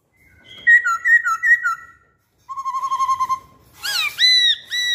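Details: Lure song of a masked laughingthrush, with clear whistled notes sliding between two pitches, a pause, a steady run of low repeated whistles, then sharp rising harmonic notes.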